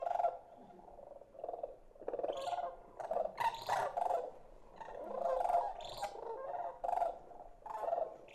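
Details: Greater sandhill crane chicks from the Colorado high country give rough, purring trilled calls in bursts about every second, mid-pitched and buzzy with a few sharper high notes. They keep this call until almost spring, before their voices deepen.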